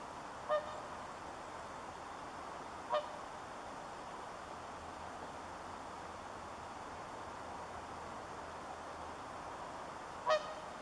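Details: Swan on the pond Kaleton, Siilinjärvi, at +8C on 26 September 2013, 6:24 PM: three brief, resonant honking calls spaced over eleven seconds against a steady background hiss.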